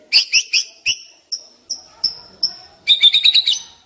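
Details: Decoy white-rumped shama giving a series of evenly spaced high, thin notes, then a quick trilled flourish at the end.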